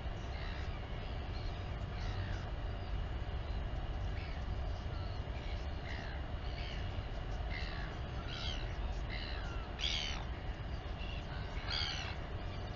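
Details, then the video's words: Feeding time for a royal albatross chick and its mother at a colony near Dunedin, New Zealand: scattered short squeaks and sliding notes, growing into louder harsh bursts near the end, over constant blustery wind. "Royal Cam Albatross - Mom LGL feeds the chick."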